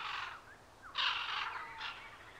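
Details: Macaw, a large parrot at Safari Park San Diego: harsh, broad screeching squawks, three raspy bursts within a couple of seconds, the middle one loudest.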